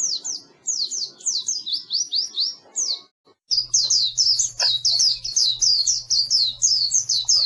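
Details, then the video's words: Oriental white-eye song as a training recording for silent birds: high rapid twittering whistles, a brief silence midway, then a denser, louder run over a steady low electrical hum. "Suara Burung Pleci Masteran Pleci Full"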